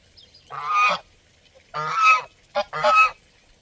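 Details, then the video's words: Strong grating honks of a goose heard close by: one drawn-out call, a pause, then a long call and a quick double honk. "Sonido de GANSOS"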